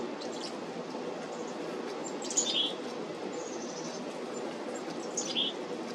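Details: On 17 July 2025, Black-capped chickadees at a feeder give a couple of thin, high chirps about three seconds apart over a steady low rumble of background noise.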